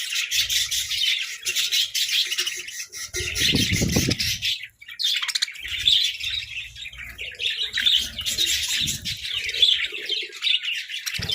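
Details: Several pet budgies chirp and squawk while fighting over treats; continuous high chatter runs through, with a low rumbling handling noise around the middle and a short pause before the chirping resumes.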